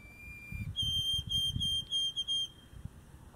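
A male White-throated Sparrow sings a long, pure whistled note, then a higher steady whistle broken into a string of quick repeated notes. A faint low room hum sits underneath.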